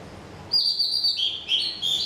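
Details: Songbird giving clear, high whistled notes: a long steady tone, then shorter notes stepping down in pitch, with a quiet background.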